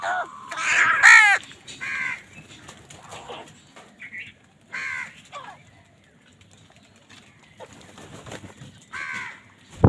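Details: Crows calling while fighting over food: harsh, rasping caws in uneven bursts, several overlapping near the start, then scattered single caws with quiet gaps between.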